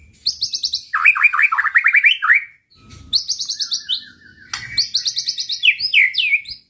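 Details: White-rumped shama song used to provoke rivals: quick runs of high ringing notes, cascades of downslurred whistles, a long flat whistle, then another energetic burst of rapid notes.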